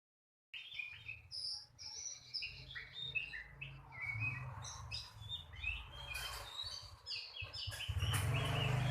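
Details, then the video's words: White-rumped shama, described as a competition-grade bird, singing a rich run of varied whistles and chirps that jump between registers, with a steady low hum underneath and a louder burst of noise near the end. "Suara burung kacer pro"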